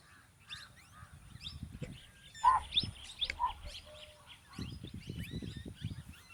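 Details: Plum-headed parakeets, a male and a female, give scattered sharp chirps and two louder clipped notes, with shrill high squeaks overhead and low rumbling noise beneath.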